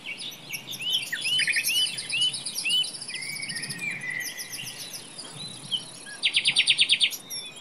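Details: Forest nightingale song of quick upward-sweeping whistles and scratchy phrases, ending in a loud fast rattle of evenly spaced clicks near the close; soft background hiss throughout.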